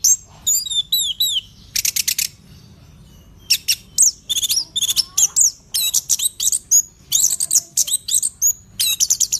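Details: Very vigorous orange-headed thrush (anis kembang) song: quick series of high, sharp chirps and twittering notes in clustered bursts, a short pause near two seconds, then dense rapid phrases resuming.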